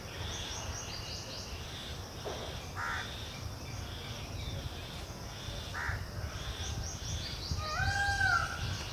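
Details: Indian house crow (Kauwa) at its nest in May, tending chicks, feeding them, clearing droppings and maintaining the nest. Two short harsh caws several seconds apart stand over steady low noise, with thin high chirps of other birds and a rising whistle near the end.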